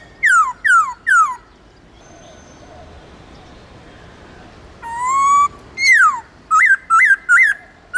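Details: Central Highlands white-cheeked laughingthrush in wild-style song for training captive birds: three falling whistles in quick succession, a pause, then a long rising note and a quick series of bouncing, looped whistles, clear and loud.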